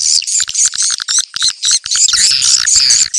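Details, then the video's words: Swiftlet calls used to check a location and draw swiftlets to gather quickly: dense, high twittering chirps with a run of evenly spaced sharp clicks early on, then overlapping rapid chatter. "Suara ceklok burung walet"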